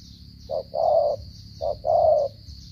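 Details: Two repeats of a Cà Mau spotted dove's stuttering 'gù cà lăm' coo, each a brief low note followed by a longer hollow coo, against a steady faint high hiss.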